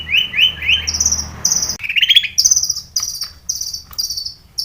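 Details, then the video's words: Long-tailed shrike lure song full of mimicked phrases, played to make captive shrikes sing: three rising buzzy notes, then a string of high, hissing, trilled phrases with a brief whistled note between them. "SUARA cendet gacor ISIAN SARKASAR pancingan cendet agar bunyi"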